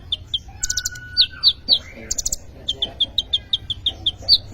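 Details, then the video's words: Vigorously singing kolibri ninja sunbird, used to lure or tutor young birds: quick runs of short high-pitched notes, some slurred downward, repeated several times a second, mixed with a short steady whistle and bright ticks. "kolibri ninja gacor cocok untuk pancingan atau maateran burung bahan"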